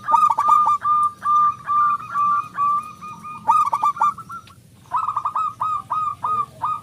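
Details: Local zebra dove, strong-voiced and in full song, played as a lure for other doves: rapid strings of hollow, slightly trilled coos, a brief lull, then another quick series.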